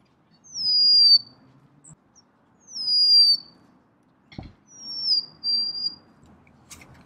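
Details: Three separate whistled songs from a golden-crowned sparrow, each a high note falling to a lower held tone, repeated about every two seconds, with a low rumble beneath and one sharp click.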